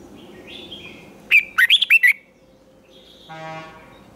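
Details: Red-whiskered bulbul singing a twisting-voiced fighting song used in training for song contests. A quick phrase of five warbled notes stands out. Soft drawn whistles come before it, and a low droning hum follows.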